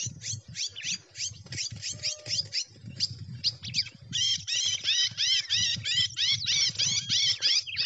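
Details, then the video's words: Red-cowled cardinal singing a song in the gavião style: a rapid run of high, sharply down-slurred notes, about three per second, growing louder and more ringing in the second half, over a steady low hum. "Galo de campina gavião"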